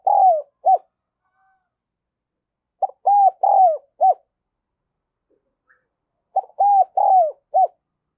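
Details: Lure spotted dove of the 'đồng son' voice style calling to other doves. The tail of one phrase, then two complete four-note coo phrases spaced about 3.5 seconds apart, clear and low-pitched, with no background noise.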